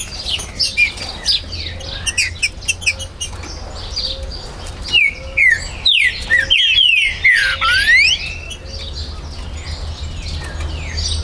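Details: Green-winged saltator singing at a Brazilian breeder's premises, 19 September 2020, to incite territorial rivalry: a mid-clip cluster of strong falling whistles amid a busy chorus of softer chirps and short notes from other birds.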